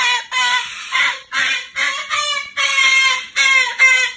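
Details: Pet Moluccan cockatoo complaining at bedtime, reluctant to enter its cage for the night; a run of raucous, strongly harmonic screeches, about two per second, with brief gaps between them.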